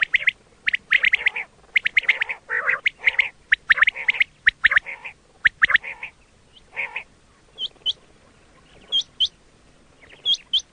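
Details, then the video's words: Quail sound used for hunting: busy harsh chattering for the first seven seconds, then quieter spells broken by pairs of thin, sharply rising whistled notes. "quail 2024 Fresh sound Batair Ki awaz"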